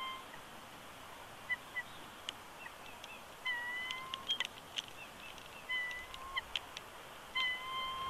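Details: Male bald eagle at a nest at Big Bear Lake, California, 20 January 2020, reluctant to give up incubating the eggs. Short tonal whines recur amid clicks and rustling in the nest.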